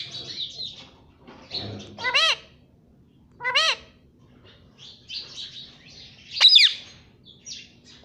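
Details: Pet Indian ringneck parrot that speaks "Mummy" and "Papa" makes two short arched, voice-like notes over a second apart among soft chatter, followed by one sharp shrill screech.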